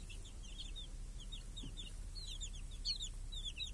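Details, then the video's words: Chicks with hens in a village, grazing under a protective cage against crows and hawks on a clear summer day; rapid high, arched peeps from many chicks overlap continuously over a low steady rumble. "Chickens and hen in the village | Sounds with chicks on a clear summer day"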